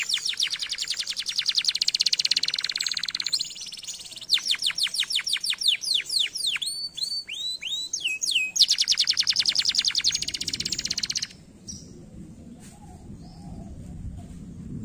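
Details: Canary song played to stimulate other canaries to sing: long rolling trills of rapid repeated notes, a stretch of sweeping downslurred notes, then another fast trill, followed by low background noise.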